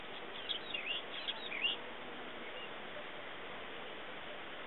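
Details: Ring ouzel (Turdus torquatus) at Monte Avaro, Bergamo, on 4 July 2010, gives a brief cluster of quick, chattering high notes in the first two seconds, followed by steady background hiss.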